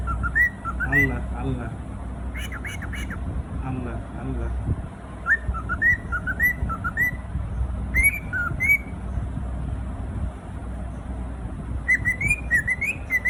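A cockatiel repeats short whistled, speech-like phrases that rise and dip, over a low background hum.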